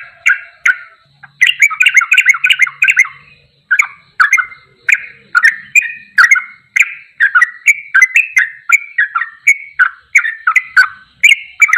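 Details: Sooty-headed bulbul, masteran tutor recording in the ropelan goklikan style: dense bubbly chattering phrases, quick rolling notes packed together, then looser clusters of sharp chirps continuing steadily for about twelve seconds.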